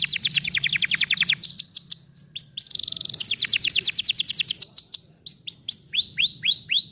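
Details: Canary singing, meant to stimulate a lazy canary to sing: a fast rolling trill of high notes, a brief steady buzzy tone, another rapid roll, then separate slurred whistles.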